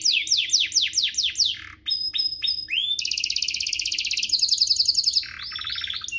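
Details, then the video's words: Domestic canary singing for training young birds: a run of falling swept notes, a few clear pure whistles, then long rapid rolling trills in several tours. "Suaranya MUDAH DITIRU, Efektif untuk Masteran Kenari Paud dan Pancingan kenari biar gacor"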